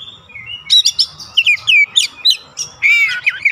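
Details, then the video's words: Oriental magpie-robin song meant to trigger replies from other birds at home: fast jumble of sweet whistles, sharp chips and a rich warbled phrase, over a faint low rumbling background. "AUTO RESPON NGEPLONG GACOR KACER ANDA DIRUMAH"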